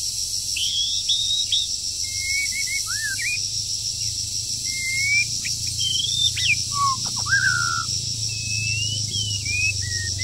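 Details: Wild moulting bird singing during the breeding season while being trained: sparse whistled phrases and a few downslurred notes spread out, with high hiss and a low background hum throughout.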